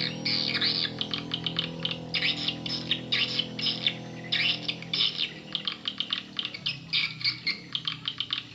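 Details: Swiftlet lure call used to attract swiftlets: bursts of buzzy, chattering chirps, some run together and some short and clipped, repeated in irregular clusters. A steady low hum runs underneath the first half.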